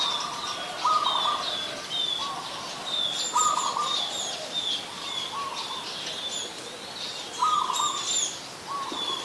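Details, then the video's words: Zebra dove, an adult, calling at Ubon Ratchathani, Thailand, on 28 December 2020. Brief trilled coo phrases recur every one to two seconds, while other birds twitter and chirp at higher pitch. "นกเขาชวา (Zebra Dove)"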